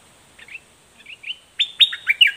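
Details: A straw-headed bulbul (Pycnonotus zeylanicus) challenging a rival wild bird gives soft chirps, then a quick run of loud, rich, bubbling notes, over a faint steady high hiss.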